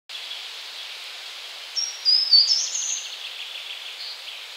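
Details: Short-toed treecreeper song in Poland (52.04 N, 20.20 E): one brief, very high phrase of thin notes, rising and quickening over about a second and a half, against a steady background hiss.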